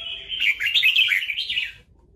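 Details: Red-whiskered bulbul in a fighting context during trapping, singing one continuous bright warbled phrase of about a second and a half that ends abruptly.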